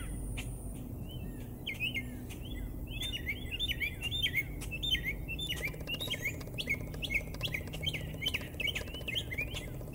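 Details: Northern mockingbird singing in Americus, Georgia: a long run of quick, varied chirping phrases, many repeated several times in a row before switching, with steady low background hum throughout.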